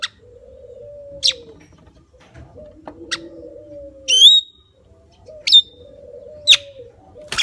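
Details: Javan myna repeating sharp, abrupt harsh notes, one turning into a short wavering whistle, set against soft, low, rounded cooing phrases from another bird.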